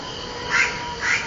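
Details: House crow (Corvus splendens) calling: two short, harsh caws about half a second apart, rising slightly out of a steady background hum.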